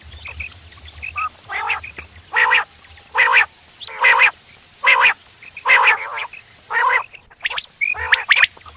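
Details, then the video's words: Quail calls used for hunting in the morning: harsh, nasal, squawking notes repeated about once a second in a steady series, with a low hum underneath. "Batair awaz / quail sound / subah shekar k leye batairon ki behtareen awazy"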